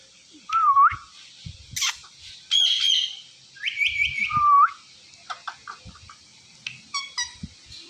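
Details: Indian ringneck parrot talking, mimicking words with clear whistled dipping and rising glides, buzzy stacked syllables and short squawks, followed by a string of quieter clicks and chirps.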